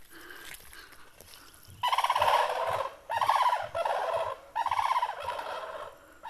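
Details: Common cranes in a flock at a village pond in Ahirauli, Kushinagar, Uttar Pradesh, India, dancing in summer; bursts of loud, rattling, pulsed trumpeting come in four separate phrases, each lasting about half a second to a second.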